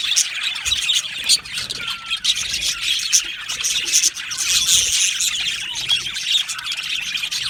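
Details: Colony of Australian budgerigars in an aviary giving dense, continuous high chirps, squeaks and chattering twitters from many birds at once, overlapping without pause, with a few sharper squawks rising above the steady chorus.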